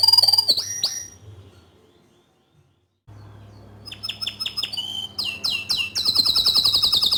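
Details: Bottle-green canary in full song, used to tutor young and untrained canaries: a loud opening burst of sweeping notes, about two seconds of silence, then rapid repeated trills and rattling rolls that build in speed, over a steady low hum.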